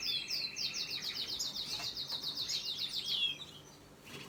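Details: Canary chicks begging while being fed: a rapid run of high, slurred chirps repeated about four times a second, sliding slightly downward, fading after three seconds against a faint background hiss.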